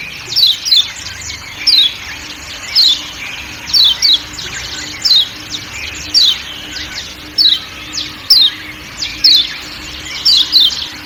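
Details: Repeated 'ciak ciak' of a kecial kuning from Lombok with forest sounds: high descending chirp notes, often paired, about one per second throughout, faint hum and soft forest noise behind.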